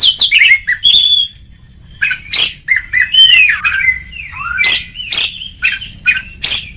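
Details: Kacer, or Oriental magpie-robin, singing ngeplong on a training recording for lazy birds: varied whistled phrases with quick slurs, a brief pause, then alternating sliding whistles and sharp harsh bursts.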